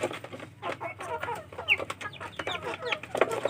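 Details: Village chicken chicks scramble and compete for food, giving quick high peeping cheeps mixed with pecking and scuffling noises, many calls overlapping in a busy, uneven rhythm.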